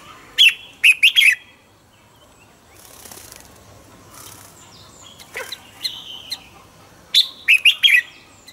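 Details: Morning song of a caged decoy red-whiskered bulbul meant to make other bulbuls sing: quick clusters of sharp, bright warbled notes at the start and end, with a few softer chirps and rustling between.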